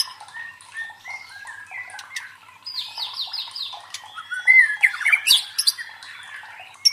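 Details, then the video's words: White-rumped shama song used to stir up fighter birds: quiet varied chirps, a quick series of descending slurs, then loud harsh notes and bright whistles. "MELATIH MENTAL FIGHTER MURAI BATU DENGAN SUARA PANCINGAN INI"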